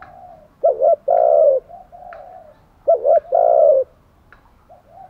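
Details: Decoy spotted dove calling to draw in wild doves: two loud coo phrases, a quick two-part note then a sustained low coo, with soft, faint coos before and after.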